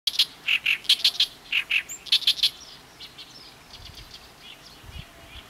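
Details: Oriental reed warbler in Ishikawa, Japan, giving its distinctive gyo-gyo-shi song: loud, harsh, grating notes in quick repeated pairs and triplets for about two and a half seconds, followed by quieter distant chatter.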